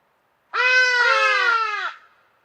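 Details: Hadada ibis giving a loud trumpeting call: a single harsh, nasal, drawn-out note of about one and a half seconds with two or three quick breaks in the middle, fading at the end.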